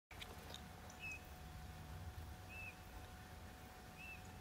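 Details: Eurasian bullfinch filmed by digiscoping in the hottest hours of the day, giving three soft, short piping whistles that dip slightly in pitch, about one every one and a half seconds, over a steady low hum and faint background rumble.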